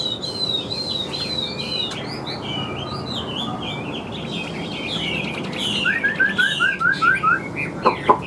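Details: Caged Chinese hwamei, a large-bodied bird with yellow legs and bill, singing a run of loud, varied whistled phrases, then a quick series of about seven short rising notes, with a few sharp clicks at the end.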